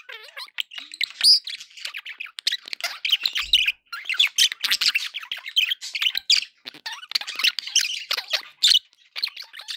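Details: Happy pet budgerigars with a lively stream of squeaky warbles and raspy chirps, a couple of clear whistled notes at the start.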